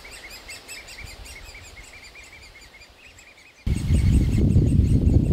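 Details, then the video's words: Loud, continuous begging of young great spotted woodpeckers in an aspen nest hole, fed by the parent pair; quick repeated high chirps, then a sudden heavy low rumble of wind or handling noise partly masks them. "Spechte beim füttern !"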